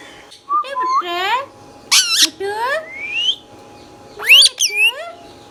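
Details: Green Indian ringneck parakeet, a pet talking bird, indoors in a small room: bursts of nasal, harmonic, speech-like phrases with rising and falling tones, broken by sharp high squawks, in four short bouts.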